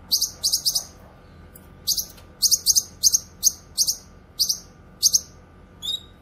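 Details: Cucak kinoy, the grey-cheeked bulbul, sounding off with rapid, high, piercing chirps, first in a quick triple burst, then in evenly spaced pairs, closing with a short, quavering whistle.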